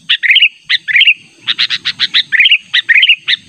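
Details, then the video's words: Sooty-headed bulbul lure call, a natural recording used to draw in and challenge a rival bird: loud bursts of liquid, bubbly chirps, often in quick pairs or triplets, repeated steadily with short gaps, and a faint low rumble beneath. "Pikat Burung Kutilang Panggilan Ter ampuh suara alami"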